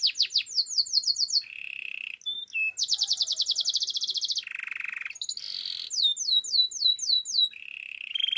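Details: A Russian canary sings rapid swept notes, a low buzzy trill, a long bright rattling roll, then dry trills and more repeated slurred notes in quick succession.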